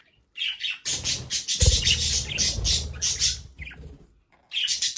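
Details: Pet budgerigars at home in their play area, giving bursts of high chirpy chatter after a short silence, broken by low thumping and rustling noises.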